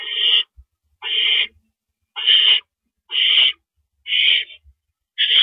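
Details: Hoarse hissing shrieks from an owl nest, 1:11 AM, 6 April 2012, during a male's delivery of a rabbit: six even, noisy bursts spaced about one second apart, with faint low knocks between.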